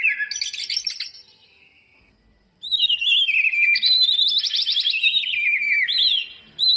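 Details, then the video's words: Lure recording of a greater green leafbird singing, for prompting lazy birds: a short warble, a quiet gap, then a long loud run of quick chirping notes stepping down and back up, ending abruptly. "burung cucak ijo full isian buat pancingan yang malas bunyi"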